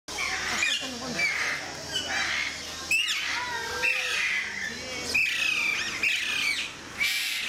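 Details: Alexandrine parakeets, captive at Mysore Zoo, giving harsh, scratchy squawks with bending notes, several overlapping and irregular across the recording, over a steady background of human voices and faint chirps.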